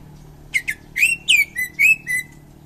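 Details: Greater green leafbird, a prized champion songbird from Indonesia, giving a short burst of loud, clear whistled notes around a bright mid-high pitch, several rising and falling slurs in quick succession with harmonics above.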